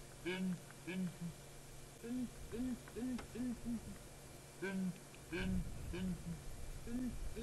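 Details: Group of Southern Ground Hornbills, an adult female and two youngsters, on a dead tree at Djuma Game Reserve, morning chorus on July 3, 2017, likely courtship calling to reinforce bonds before breeding; deep hollow booms in paired and tripled series, overlapping, faint man's voice.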